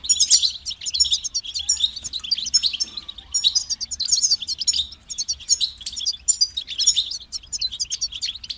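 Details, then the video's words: Goldfinch singing a motivating song for training: fast, liquid twitters and metallic trills delivered in clustered phrases with short gaps, over a quiet low hum. "Highlighting motivating songs for creative goldfinches in simple ways"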